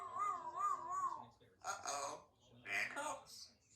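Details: Pet African grey parrot mimicking speech inside a home: wavering harmonic tones like a sung phrase, then several short word-like bursts.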